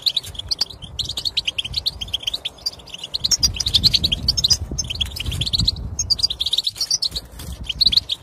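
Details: European goldfinch singing, meant to stir silent goldfinches into song: a long, busy flow of tinkling twitters and buzzy trills, with a low background rumble underneath.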